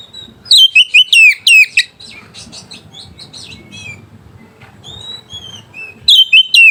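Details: White-rumped shama singing to rouse rivals and mating desire: an opening burst of loud sharp whistles falling in pitch, a long softer passage of faint chirps and a few clear whistles, then a renewed loud run of notes.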